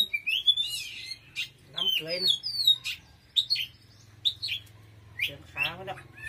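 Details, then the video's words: Oriental magpie-robin singing: loud upslurred whistles and quick chirps in bursts, interspersed with lower harsh chattering notes and a faint continuous hum. "Choè than hót cực khủng"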